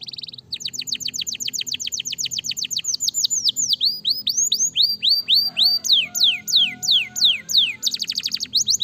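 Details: Canary song meant to stir lazy canaries into singing: fast runs of high, steeply falling whistled notes about three or four per second, then slower swooping notes, a low buzzy roll near the middle and a rapid trill at the end.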